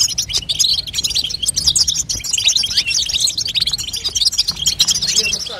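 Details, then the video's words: European goldfinch hen calling to stimulate a fledgling goldfinch into song, a continuous rapid twitter of sharp high chirps and short trilled notes running throughout, bright and scratchy. "بتبته لتقويه فرخ الحسون تخلي يغرد غصب عنو"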